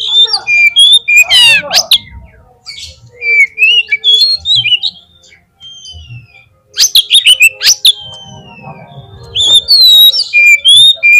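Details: Oriental magpie-robin in energetic song, a lure to make another bird sing at a contest field. Fast sequences of sweet whistles, downslurred notes and loud harsh rattles, with a brief pause mid-way.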